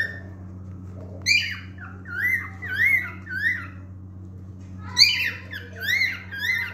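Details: Singing male cockatiel: a string of looping whistled phrases after a sharp note, a pause, then another sharp start and several more rising-falling whistles, with a low steady hum.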